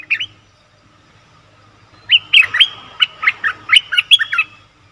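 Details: Bulbul recorded as a lure for wild birds: a short opening chirp, a pause, then a lively run of about a dozen bright, warbling notes that slur up and down in quick succession.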